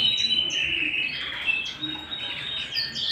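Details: Home canary song: quick, slightly irregular trills of high chirps and downward sweeps, roughly three notes per second, with a faint hum underneath.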